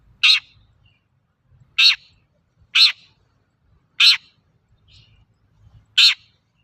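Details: Long-tailed shrike used as a lure to make other shrikes sing: loud, grating, noisy calls given singly at irregular intervals of one to one and a half seconds, five in all, with a quiet background.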